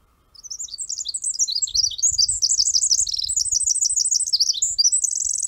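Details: Pacific Wren singing, a tiny bird of dense undergrowth that sings from fallen logs and stumps; a bubbly, excited, very high song of rapid tinkling trills and twittering notes pouring out without a break, with a low rumble underneath.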